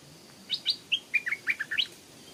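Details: Stripe-throated Bulbul at a canal, where a wild bird crossed the water to fight a caged young decoy while a lure call played; about eight bright, slurred whistled notes rising and falling in a quick run, with faint hiss behind.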